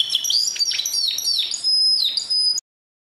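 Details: Canary song in brief bursts: high chirping notes with descending slurs and a thin sustained whistle overhead, ending abruptly into silence.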